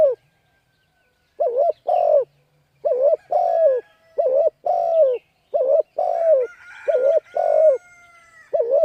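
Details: Spotted dove calling to lure wild birds: repeated low cooing phrases, each a wavering double or drawn-out coo, delivered in steady bursts with short pauses, clean background.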